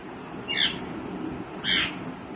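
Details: Green rose-ringed parakeet, a pet, gives two harsh, screechy squawks about a second apart over a low background hum.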